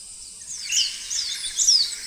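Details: Hume's white-eye (Zosterops auriventer), a small, social bird of hill and submontane forest, giving a quick run of thin, very high twittering notes with sweet buzzy "tsee" slurs, over a soft background hiss.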